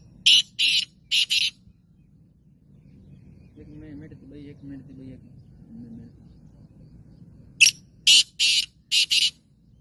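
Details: Caged black francolin (kala teetar), Gangas strain, calls a grating three-note phrase, falls quiet under soft murmuring and low hum, then repeats with a sharp tick and four rasping, buzzy notes.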